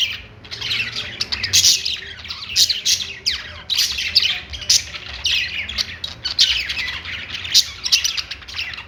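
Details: Budgerigars on a perch giving happy chirping song: continuous scratchy, buzzy warbling full of quick high squeaks and clicks, swelling in louder bursts roughly every second, faint low hum beneath.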